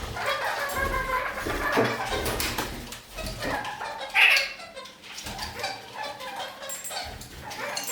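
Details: A flock of kakariki walking on a ceiling keeps up busy, chattering song: mixed squeaks, buzzy notes and one sharp, high shriek partway through.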